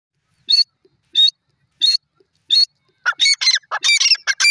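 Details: Grey francolin, locally called Irani dakhni teetar, calling: four evenly spaced harsh, high notes about every 0.7 seconds, then a faster, louder burst of overlapping squawking notes, with a quiet background.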